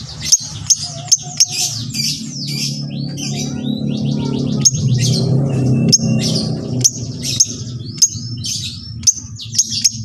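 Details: Long-tailed shrike training song for starting other shrikes singing: a rapid stream of varied high chirps, trills and sharp clicks over a steady low droning background.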